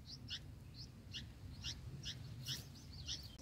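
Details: Bulbul chicks in the nest, about day 6, being fed by parent birds (green lizard eggs), give rapid, high, thin chirps in quick bursts, about three per second, over a low steady rumble of background noise.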